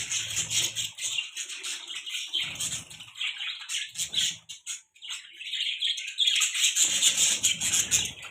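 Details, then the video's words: Pet budgerigars keep up a steady stream of thin, scratchy chirps and trills, briefly dropping out near the middle before the chatter swells again. Soft rustling sounds come and go underneath. "beautiful budgie chirping sound|budgie chirping sounds|budgie bird sounds"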